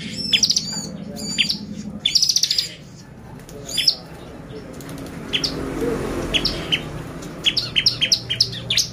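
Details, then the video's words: Bar-winged prinia song used as a lure to excite other prinias. Buzzy high trills and clipped chirps come in bursts, then sparse quick notes after a quieter stretch with faint background noise. "PANCINGAN CIBLEK GACOR bikin burung ciblek EMOSI !!"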